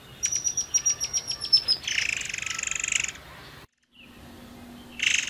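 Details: Forktail song used as a lure to get other birds singing: a fast series of high, thin, slightly falling whistled pips, then a harsh buzzy rattle, a brief cut to silence, and another rasping burst.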